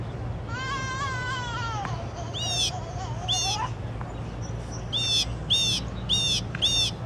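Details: Unknown songbird singing at night. A long wavering whistle slides slowly downward, followed by separate bursts of sharp, bright repeated notes at about two per second. A constant low electrical-sounding hum runs underneath.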